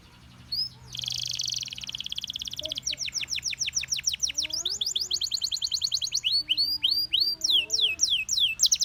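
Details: Gloster canary singing to prompt other canaries to join in: a buzzy burst, then a run of quick repeated downslurred notes speeding into trills, ending with looping upswept whistles; some faint lower chirps beneath.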